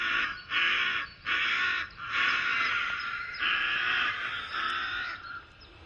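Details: Rook call, apparently played from a display at the Domaine des grottes de Han: harsh, grating caws, about five drawn-out calls in six seconds, each a rasping burst with brief gaps between.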